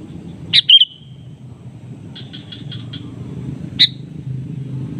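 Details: Sooty-headed bulbul in a calling exchange with a rival: a sharp, loud double note with a trailing tail, a run of five even chips, then a single abrupt loud note, low rumble behind.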